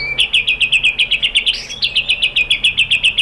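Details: White-rumped shama lure phrase meant to draw replies from other shamas: a steady, rapid series of sharp high notes, about six per second, kept up throughout.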